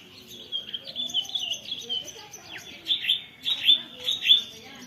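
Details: White-rumped shama with canary imitations in its song, recorded on a phone: rapid high twittering trills and short bursts repeated, fairly soft.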